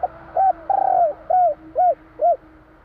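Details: Spotted dove, tekukur jawa, giving one 'kuk 3' phrase: a brief coo, a long descending vibrato coo, then three short rounded coos at steady intervals, clear and close.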